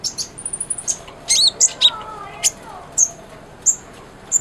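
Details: Kolibri ninja sunbird, recorded as a tutor for a white-rumped shama. A thin, level high whistle and a few quick chirps are followed by spaced, sharp single tweets about every half second.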